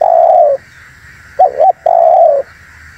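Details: Spotted dove lure call meant to draw in wild doves: a long mellow coo, then two quick clipped notes and another drawn-out coo that sags in pitch at the end, with a faint steady hum behind.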